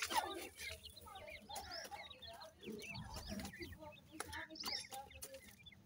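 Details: Young grey francolin chicks during feeding, producing continuous short, high-pitched rising cheeps in quick succession, over a low background hum with occasional clicks.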